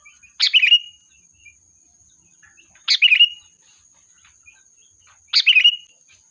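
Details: Sooty-headed bulbul used as a lure to summon the flock. Three quick, gurgling phrases end in bright whistles and recur at steady intervals of roughly two and a half seconds, over a faint high continuous tone.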